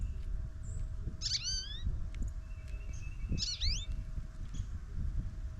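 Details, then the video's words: Talkative goldfinch visiting a snowy morning feeder camera after the snow eased, giving two clear, rising, twangy notes about two seconds apart over a steady low rumble and a faint thin tone. "SING Snowy Gold Finch"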